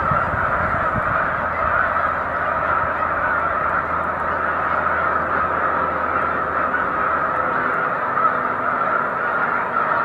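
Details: Snow geese in a large lake flock on Cayuga Lake, afternoon of 20 March 2021, keep up a ten-second babble of nasal honks, dense and unchanging, with a faint low hum beneath.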